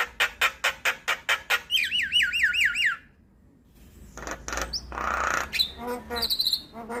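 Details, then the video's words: Javan myna song meant to provoke and teach other starlings: a rapid string of sharp clicks, a series of rolling wavy whistles, a pause, then a hoarse screech and scattered chattering notes. "PAncingan Dan Masteran Jalak Kebo Buat Semua Jenis Burung Jalak"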